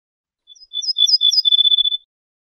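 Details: Ortolan bunting, called bouh fassi in Morocco, giving a phrase of quick, sharp, high chips over a steady tone that flows into a long, level, whistled note lasting about a second. No background noise.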